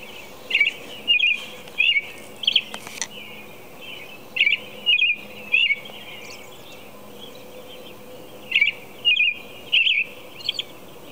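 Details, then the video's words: Predawn American robin song at 4:00 a.m., a long run of short caroling whistled phrases, some in quick clusters, others after pauses of a few seconds, set against a constant high-pitched background drone. "American Robin Song"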